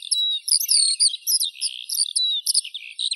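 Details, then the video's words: Eurasian skylark song: bright, high, slurred whistles mixed with quick chirps, delivered in an unbroken, fluttering run. "Skylark Birdsong"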